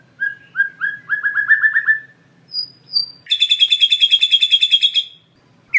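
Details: White-rumped shama in full song with varied fill-in phrases: short rising whistled notes near the start, a pair of high thin whistles, then a long rapid rattling trill of about twenty pulses, in a quiet background.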